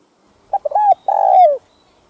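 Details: One full coo phrase from a spotted dove, quick clipped notes followed by two sustained coos, the second sliding down at the end; played to stimulate decoy birds.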